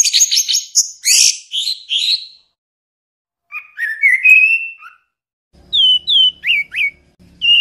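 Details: Orange-headed thrush song as a songbird tutor: fast high chattering notes, then a slurred whistled phrase. Separate sharp upward-flicked whistles follow, with faint low background hum near the end.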